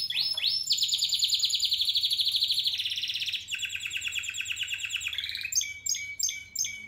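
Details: Spanish Timbrado canary from 2017 delivering fast rolling trills that shift pitch in stages, from sharp rising notes into long buzzy rolls, ending with a clipped high repeated phrase.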